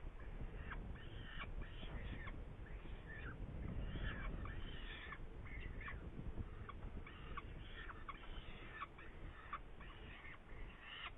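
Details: Saker falcon, Hungary, 8 May 2019, at prey: a rapid, uneven series of short harsh calls, roughly three per second, running through the whole stretch above constant deep rumbling noise.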